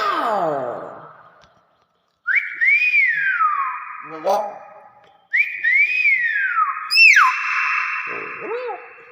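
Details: Common hill myna repeating a loud whistle phrase twice: a rising-falling swoop that settles into a long steady tone, ending with a sharp drop and a lower buzzy note. Human voices are heard just before.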